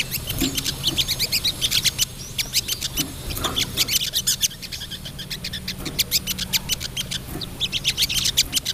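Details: A female crested jay calls the male with dense, rapid 'ngriwik' chattering: high, clicking notes repeated almost without pause throughout, some louder bursts near the end, and a low hum beneath.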